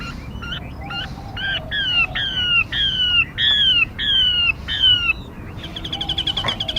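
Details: Decoy recording of a female Mi for luring birds: a series of descending whistled notes about three per second, ending in a fast buzzy chatter.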